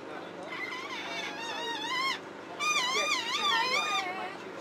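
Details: Talking parrot mimicking human words, including "alright": two wavering, strongly harmonic voiced phrases with warbling pitch, the second louder, separated by a short gap, over a faint steady background.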